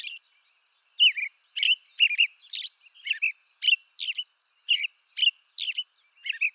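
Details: Loud, evenly spaced song phrases from an American robin (Turdus migratorius) of eastern North America, about two per second, each a short whistled carol with a high squeaky edge, after an opening pause.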